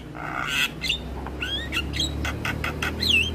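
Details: Javan myna song for training young mynas: a harsh buzzy burst, rising whistled slurs and clicks, closing with a looping whistled note, over a low steady hum.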